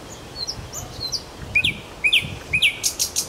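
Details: Song of a nightingale in Kuzminki forest park: three upward-flicking whistled notes half a second apart, ending in a rapid high buzzy trill.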